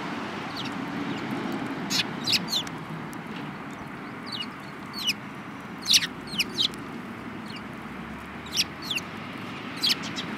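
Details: Eurasian tree sparrows in a group that includes a yellow-beaked bird, 7 March 2018. Bright, brief chirps arrive loosely, sometimes in quick pairs or triplets, over a soft rushing background.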